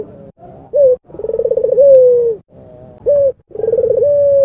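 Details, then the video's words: Vigorous cooing from a red-eyed albino Barbary dove, used to coax quiet doves into calling. A brief clear note leads into a pulsing, rolling coo that settles into a steady, slightly falling tone. The sequence is heard twice. "SUARA BURUNG PUTER GACOR"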